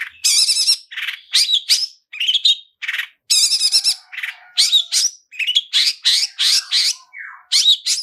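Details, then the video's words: Long-tailed shrike song of the 'toet toet' type with luxurious fill-ins, played to trigger singing: a steady stream of loud, harsh, buzzy phrases and sharp chirps with brief pauses. "SUARA TOET TOET SAMBUNG ISIAN MEWAH DIJAMIN LANGSUNG ON, PANCINGAN CENDET GACOR ISIAN MEWAH"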